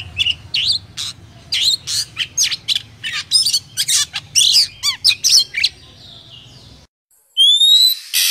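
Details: Oriental magpie-robin, Vietnamese 'chỏ mồi' song for rousing other birds: about six seconds of quick chirps and slurred whistles over a low hum, then a brief silence and a clear, slightly rising whistle.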